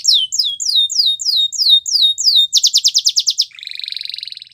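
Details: Canary singing as a training model for young canaries. A series of repeated high whistled slurs is followed by a fast pulsed trill, then a softer rolling buzzy trill at the close.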